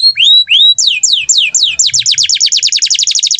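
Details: Canary singing a lively, gacor-style song: two rising whistled notes, then rapid descending sweeps that speed into a fast trill repeated about four times per second, loud and clear.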